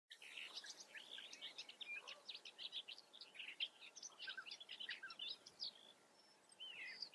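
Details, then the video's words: European bee-eaters in the Eifel: continuous overlapping chorus of short, rolling, slurred chirps from several birds, rising and falling in pitch, steady throughout against a faint background hiss. "Bienenfresser in der Eifel. European Bee-eater"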